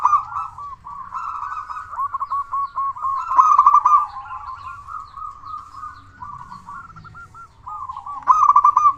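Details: Vocal local zebra dove, a loud singer used to prompt quiet doves to call: bursts of rapid, rolling, stuttered coo notes, pausing and restarting several times over nine seconds.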